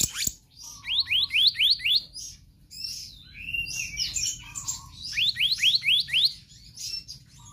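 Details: Energetic magpie-robin in konslet song, delivering quick runs of rising whistled notes, about five in each run, separated by buzzy high phrases and a low steady tone.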